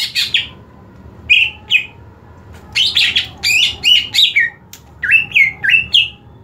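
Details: Greater green leafbird (cucak ijo) in a competition setting, singing loud bursts of sharp, slurred chirps and whistles in uneven clusters with short pauses, some notes bending downward, over a faint low room hum.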